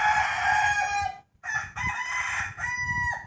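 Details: Rooster crowing in the morning ahead of the 2020 New Year: a long held crow, a short break, then a multi-part crow with stepped, rising and falling notes.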